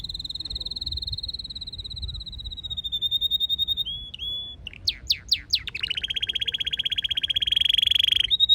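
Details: Singing canary in Nara Park, Japan, under a wisteria trellis: a long steady high trill, a brief flat whistle, several quick downward sweeps, then a dense buzzy rolling trill that builds in loudness.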